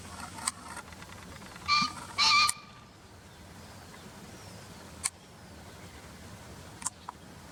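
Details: Green pheasant call taken from a field-guide recording: two loud, harsh, nasal notes in quick succession, the second longer, with strong stacked overtones, followed by faint clicks and soft background hiss.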